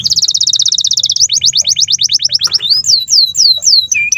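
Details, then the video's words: Long canary master song for young and silent canaries: a fast rattling trill, then slower repeated downswept whistles and a few arching high notes. "SUARA BURUNG Kenari GACOR PANJANG INI Cocok untuk Masteran KENARI PAUD dan Kenari Macet BUNYI"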